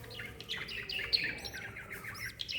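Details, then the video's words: Lovebird mother with her chick, recorded 26 December 2021: a run of short, high chirps and squeaky notes repeated through the clip, with a few brighter whistled squeaks and a faint low hum underneath. "Mama Love bird with chick"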